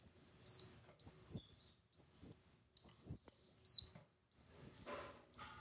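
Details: A brown sunbird (Kolibri Wulung) sings thin, very high, sweeping phrases that rise and fall, about once a second with short pauses, over faint clicks; used as a lure to get reluctant sunbirds singing.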